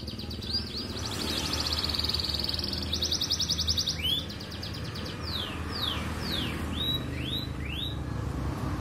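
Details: Canary in lively song: fast rattling trills, then a run of sweeping downward-slurred whistles repeated about once a second, over a steady low hum.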